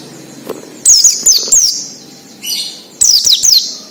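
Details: Oriental white-eye in wild ngalas song, used as a lure for captive birds: two short clusters of high, sliding, thin whistles about two seconds apart, with a soft buzzy note in the gap.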